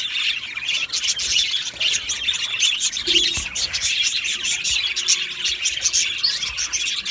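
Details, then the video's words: Aviary flock of Australian budgies keeps up a busy, overlapping chatter of high chirps and scratchy warbles, the mass of voices steady throughout with brief sharper squeaks. "Beautiful Budgie singing and chirping sounds"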